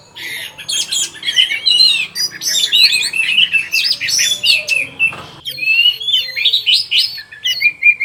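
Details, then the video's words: Orange-headed thrush in full afternoon song, a fast, tumbling stream of high chirps, trills and sliding whistles, with a brief break before a clear rising whistled phrase and further rich notes. "ANIS MERAH CEPAT BUNYI DAN TELER"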